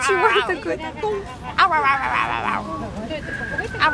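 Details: Grey parrot (Psittacus erithacus), vocal mimicry.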